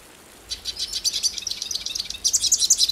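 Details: Hooded siskin, a Brazilian bird, in a brief run of high, quick chirps and twitters beginning after half a second of quiet and growing denser toward the end.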